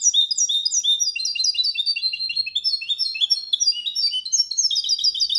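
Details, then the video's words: Clean Malaga copy song from a goldfinch-canary hybrid, for training birds to sing: continuous fast series of high, repeated chirping notes in rolling trills, changing phrase every second or so. "Mixto jilguero cantando copia malaga _ Hybrid of goldfinch singing for training songs"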